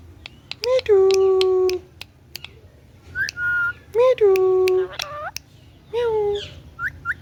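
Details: A pet green ringneck parrot talks in a small room, repeating a loud, voice-like, harmonic word several times with short whistled notes in between and a few high chirps at the end.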